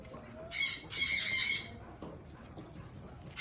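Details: Blue eared pheasant feeding on green grass, giving two loud rasping squawks close together early on, followed by near silence with faint rustling.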